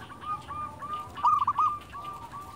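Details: Silver zebra dove, local perkutut, singing against a steady hiss: soft evenly spaced coos, a brief loud quavering trill in the middle, then more soft coos.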